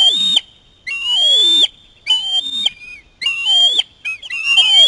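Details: Osprey chick begging for fish brought by a parent; long, loud, slightly rising whistled screams lasting under a second each, separated by brief pauses.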